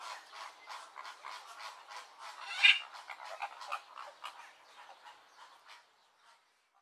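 A flock of flamingos keeps up a dense, overlapping chatter of harsh, goose-like honks and grunts that thins out and fades after about six seconds.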